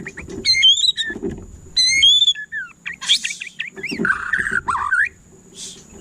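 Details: White-rumped shama song with loud ringing upswept whistles, harsh scratchy bursts and a rapid warbled chatter, mixed with low thumps and rustling noise; a faint steady high whine persists.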